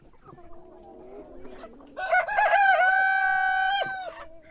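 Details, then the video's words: Rooster crowing in the morning: soft low clucking notes first, then one loud, harsh, drawn-out cock-a-doodle-doo lasting nearly two seconds, holding steady before dropping off at the end. "Sonido de gallo por la mañana // Cock crowing in the morning"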